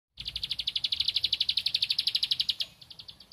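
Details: Bar-winged prinia (ciblek padi) singing vigorously while looking for a rival: a fast, even train of sharp high chips, roughly a dozen per second, held for over two seconds, then fading to softer notes.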